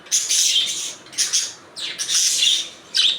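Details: Budgerigar chatter at close range: long, loud raspy bursts with warbling high notes inside, three main phrases with a short downward swoop between them.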